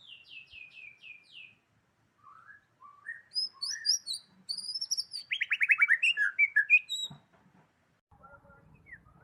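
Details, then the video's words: Varied song from a white-rumped shama of the Medan type: a series of descending high whistles, soft low notes, then a fast rising burst of rapid trilled notes and sharp chips, fading to faint clicks. "kicau murai medan"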